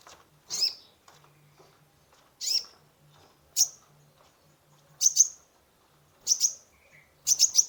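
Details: Kolibri ninja sunbird in energetic full song, used as a lure to stimulate a stressed caged bird: sharp, high, piercing chirps, some paired, in bursts about every one to two seconds, with a faint low hum underneath.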